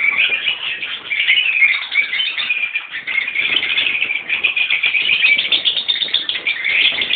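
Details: Rosy-faced and Fischer's lovebirds, adults with young in one colony, make constant, harsh, overlapping twittering, with squeaky notes rising out of the steady din.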